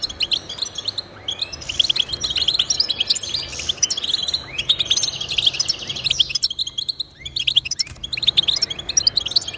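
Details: Lively goldfinch song for stimulating pet birds to sing, a continuous stream of high twittering notes, jingling trills and occasional buzzy slurs, briefly thinning near the six-second mark before resuming.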